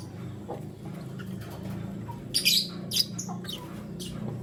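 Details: Lutino lovebird chirping, a male among two females: a couple of short, bright, high chirps close together midway, with a few faint squeaks around them over a steady low background hum.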